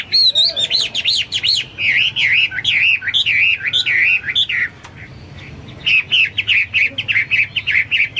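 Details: Hwamei in vigorous song for teaching pet birds: loud looping whistles swinging up and down in quick succession, a brief pause, then a rapid series of short, repeated bright phrases.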